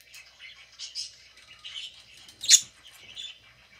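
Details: Budgerigar eating, with soft, scattered high chirps and short twittering notes, then one louder sharp chirp and quieter chatter after it.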